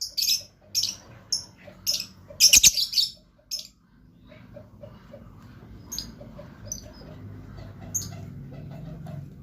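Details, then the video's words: Blue lovebird in a vocal bout: shrill, high chirps in dense bursts through the first four seconds, with a loud burst near the middle, then sparser, fainter chirps over a low background hum. "LOVE BIRD GACOR"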